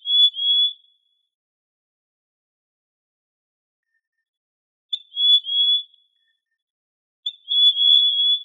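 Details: Trinidad euphonia singing three clear, high whistled notes, each about a second long with a brief wavering middle, separated by gaps of two to four seconds of silence.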